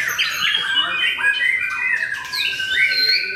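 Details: White-rumped shama (murai batu), a debut contest bird that reached the podium at the Mahendra Arena singing contest. Clear loud whistled phrases, some long and level, some sliding up or down, with harsh rasping notes between them. Faint voices underneath.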